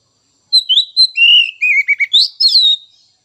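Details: Oriental magpie-robin singing to stimulate untrained and young spotted birds: sweet whistled notes sliding up and down, followed by a run of clipped chattering syllables and a rising, bright finish.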